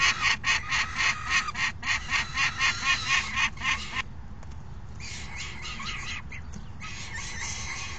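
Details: Falcon nestlings cry out while being fed by a parent after the other adult brings dinner, 3 June 2018; rapid rhythmic harsh squawks about four per second, a brief pause, then more ragged screeching.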